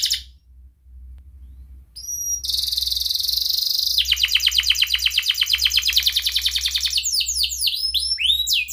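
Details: Atlantic canary song used as a lure to get canaries singing: sharp upslurred whistles, then a dense buzzy trill, a long rapid rattling roll, and quick rising chirps near the end.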